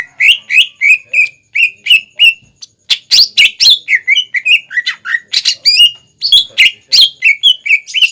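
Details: Greater green leafbird in full song, used as a teaching lure for young birds: a fast, varied stream of loud whistled and chattering notes, about three per second, with sharp upward and downward slurs and little background.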